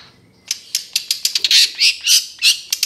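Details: Long-tailed shrike (cendet trotol) tutor recording for caged birds: harsh, scratchy squawks delivered in quick bursts, growing louder and more rasping.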